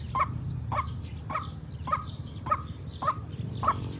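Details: Trapping lure of a white-breasted waterhen calling eagerly: rhythmic, gruff croaking notes about every 0.6 seconds, moderately loud, against a heavy low droning background.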